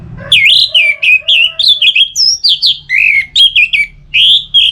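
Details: Caged orange-headed thrush singing, used to stimulate other birds to sing in both rainy and dry seasons, from northern Bali; a rich, fast run of varied whistled and warbled phrases with sliding notes, continuous with brief gaps, low background hum.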